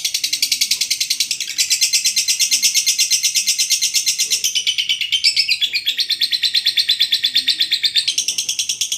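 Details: Long continuous lovebird chatter in the 'ngekek panjang' style, meant to coax silent birds into singing: dense, shrill, buzzy pulses repeated about three times a second with brief shifts in pitch, unbroken throughout.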